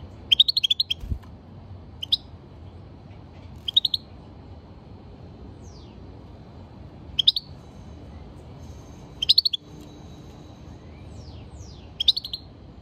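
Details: European goldfinch, a cage bird, calling in brief bright bursts of clicky twittering chirps every one to two seconds, with a few thin sliding whistles between them in a quiet room.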